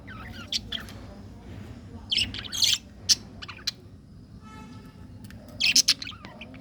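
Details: Colorful budgies give harsh, scratchy chirp bursts in a few loud clusters, with softer single chips and a brief tonal trill between them.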